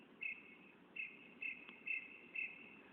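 A Northern Mockingbird repeats a short, bright, mid-pitched chirping note five times, about twice a second, over a low steady background hum.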